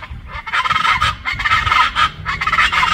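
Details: Chachalacas in Colima, Mexico give harsh, grating honks in rapid, overlapping bursts, a raucous chorus that rises and falls about twice a second.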